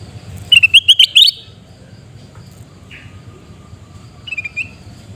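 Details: Sooty-headed bulbul in Pidie, Aceh, Indonesia, giving a quick burst of bright, bubbly chirping notes lasting under a second, followed later by a shorter, softer rattle of notes over a low background hum.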